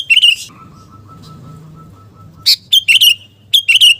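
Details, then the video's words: Kutilang garuda (sooty-headed bulbul) in gacor song used to boost fighting spirit, giving loud bubbly chirped phrases at the start and again after two seconds, with a steady low whistle-like tone in between. "KUTILANG GARUDA GACOR penggedor mental tarung Burung KUTILANG"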